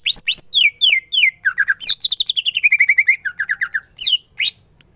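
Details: Greater green leafbird in vigorous 'gacor' song full of 'ngentrok' runs: dense rapid chips cascading downward, long even trills of repeated notes, and loud sweeping whistles at the end.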